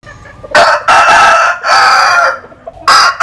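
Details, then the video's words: Rooster crowing while sunbathing, from the Mekong Delta region of Vietnam: loud harmonic crow broken into segments, a short opening note, two long sustained parts, then another crow starting at the end. "Nghe Gà Gáy"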